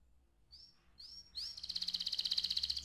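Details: Canary song used for training young canaries: two quiet rising whistles, then a loud fast pulsing trill over a soft low background hum.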